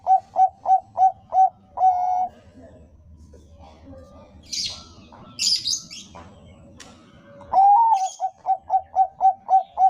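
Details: Zebra dove of the Bangkok type singing a lure to set other doves singing: a run of short clipped coos and a held note, a gap of rustling and clatter, then a rising coo and another rapid run of staccato notes.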